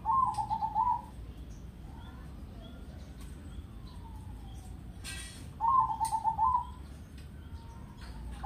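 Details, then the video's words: Crossbred zebra dove (perkutut crossing) with a deep, loud voice giving a double-ketek song: two stuttering, pulsed coo phrases about a second long, roughly five seconds apart, with sharp clicks and knocks in between over low rumbling background. "suara Perkutut Crossing Gacor, Nada Enak, Empuk, ketek Dobel"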